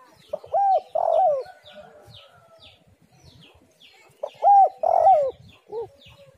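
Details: Cooing spotted dove, recorded as a lure for other doves: two phrases of arched hoots and a rich, slightly falling coo ending in a short dipping note, with light twittering of other birds in the background.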